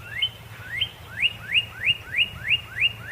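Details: Cardinal phrase of clear rising whistles, each note sliding upward and ending with a sharp peak, repeated about three times a second in a steady rhythm.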